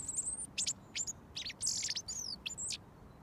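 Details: Robin that comes when whistled for sings within a foot of its feeder until fed mealworms; loud, very high, rapid notes and squeaky trills in quick succession, the level rising and falling with each phrase.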